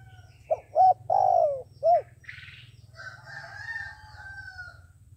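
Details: Trapping decoy dove giving its cooing phrase: short note, rounded coo, long falling coo and another short coo, followed by scratchy noises and a drawn-out higher cry from another bird.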